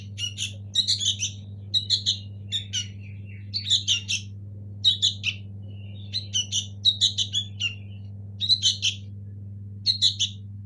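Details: Local native sooty-headed bulbul nestlings: bursts of sharp, high chirps, often doubled or tripled, coming in quick clusters across the recording over a steady low electrical hum.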